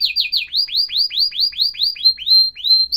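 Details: Atlantic canary singing a steady series of bright, rising upswept whistles, about two to three a second, followed by a few flatter, higher notes; a clean recording with no other sounds.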